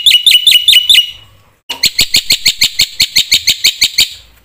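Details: Energetic black-winged myna song packed with varied phrases, used to provoke other mynas: several sharp down-slurred whistles, a pause, then an even run of about fifteen quick, clipped high chirps.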